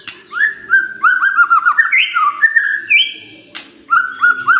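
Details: Morning white-rumped shama song used to stir a silent bird into answering: fast strings of bright, looping whistles and warbled notes, with rising and falling slurs, a short pause, then further whistled phrases.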